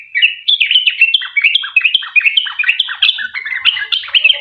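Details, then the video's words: Rapid chattering song of a sooty-headed bulbul, the long 'ropel' style played to make other bulbuls answer; bright, bouncing notes dropping and rising in quick succession, steady throughout. "Trucuk gacor ROPEL PANJANG buat pancingan trucukan agar bunyi"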